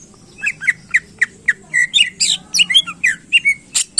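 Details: Greater green leafbird song used to fire up competition birds: short sharp chips repeated steadily, about every third of a second, breaking into a busier tangle of slurred whistles.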